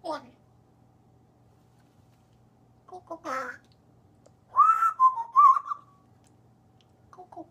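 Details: Talking African grey parrot, kept as a pet, mixes short speech-like syllables with a clear whistled phrase that wavers up and down for about a second, followed by softer mumbled sounds, recorded indoors with a low steady hum.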